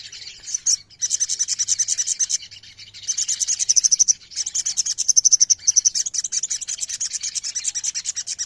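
Ruby-throated myzornis giving a dense, high chatter of rapid ticking notes in long bursts, broken by brief pauses, like several birds calling together.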